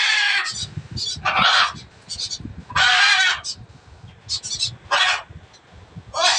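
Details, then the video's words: Noisy blue-and-yellow macaw calling in loud, rasping, broadband squawks, some long and some clipped, spaced irregularly about a second apart, with faint low rumble between calls. "NOISY BLUE AND GOLD MACAW"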